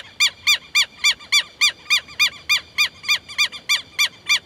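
A southern lapwing gives a fast, steady series of loud, harsh, arched notes, about three or four per second, with nothing else clearly heard.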